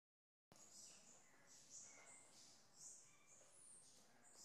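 A Ruby-topaz hummingbird gives very high, thin chips and squeaky twitters, about one a second, with a few fainter lower notes from other birds.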